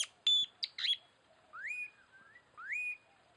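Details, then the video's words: Lure calls of the Tanau: a few sharp high notes, then three clear whistles that rise and level off, each about half a second long, spaced about a second apart, in a quiet setting. "Burung Tanau & Puling"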